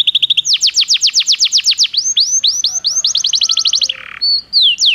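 A Belgian canary sings rapid rolling trills of high, down-slurred notes, about eight per second, in varied phrases with brief buzzy and whistled notes.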